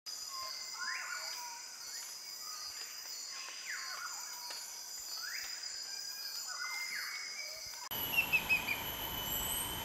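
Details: Banded bay cuckoo in Pahang, Malaysia, perched low and close and calling non-stop for over 30 minutes, possibly in mating season: arched whistled notes, rising then falling, about one per second, over a steady high insect drone.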